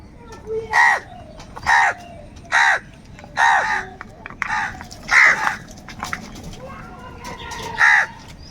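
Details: Crows calling angrily while fighting for food: a harsh, loud caw repeated roughly once a second, seven rough nasal calls with a faint background hum between them.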